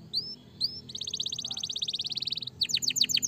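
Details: Canary gives two rising whistles, then a long fast buzzy trill lasting over a second, ending in sharp down-slurred notes repeated rapidly.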